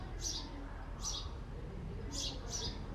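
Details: Backyard house sparrow, a male perched at his nest box, giving harsh, bright chirps: two spaced singles, then a quick double chirp, against faint low rumble.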